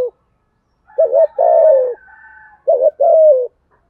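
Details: Spotted dove's fast cooing to provoke other doves: two phrases of a stuttered double note then a drawn-out falling coo, with faint thin whistles from other birds in the background.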